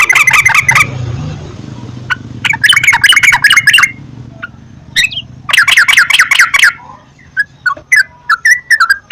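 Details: Sooty-headed bulbul song played as a lure for singing. Short bursts of rapid, bubbly chatter alternate with scattered single notes over a faint low hum.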